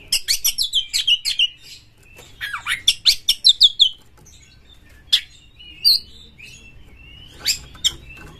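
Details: Oriental magpie-robin, a singing champion with its tail spread, used to stir other magpie-robins into song: quick series of sharp, repeated chips speeding up, then a few spaced single notes and soft whistles over a low hum.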